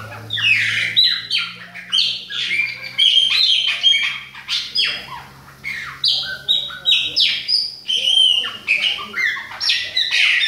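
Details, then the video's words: Chopi blackbirds of the Bahia type, an adult and a young bird, deliver choppy bursts of sharp chips, squeaky whistles and slurred notes, coming in rhythmic pulses about every half second toward the end. "FUMAÇA E FILHOTE PÁSSARO PRETO BAIANO COMANDA OUTONO !"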